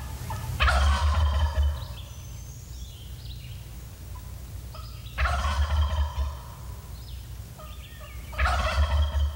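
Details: A wild turkey gobbler, worked up by a bowhunter's calls while seeking a hen, gobbles three times about every four seconds, each a loud rapid rattling burst; steady low hum and faint softer calls between; spring hunt filmed in 1989.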